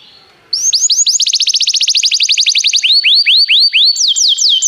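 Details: Canary song used for training other canaries: after a faint hiss, loud rapid rolling tours of falling whistled notes repeat about four per second, then slower swooping notes and sharp descending slides at the end.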